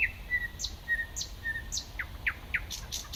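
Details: A thrush nightingale (uncertain, possibly a nightingale) sings at Sapokka, Kotka, on 31 May 2014: a fast phrase of clear, level whistles, then quick falling notes and high sharp clicks over a soft low rumble.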